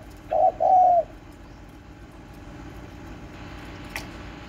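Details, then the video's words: Home-kept spotted dove, 31 March 2024: one brief two-part coo, low and soft, a short note then a longer one, followed by quiet background hum and a faint click. "Chim cu gáy nhà tôi"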